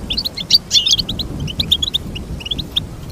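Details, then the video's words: Goldfinch song in a short burst of sharp, liquid chirps and clear whistled notes, quickly repeated in a high register. "Teach your goldfinch to sing beautiful motivational songs"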